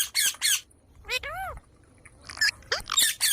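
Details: Baby Indian green parrot, reportedly talking, making two harsh raspy squawks, then a pair of arched whistled notes, followed by more scratchy squawks near the end.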